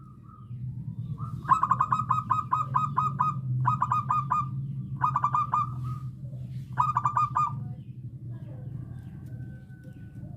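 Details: Local zebra dove, original voice used as a lure, giving bursts of rapid, clipped cooing notes, several at a time, with a steady low rumble of background noise.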